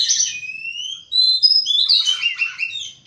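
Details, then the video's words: In the morning an Oriental magpie-robin gives long drawn, slightly rising whistles followed by a jumble of bright chirping notes, clean and close. "Birds Chirping In The Morning| Natural Sound of Birds Singing|Oriental Magpie-Robin"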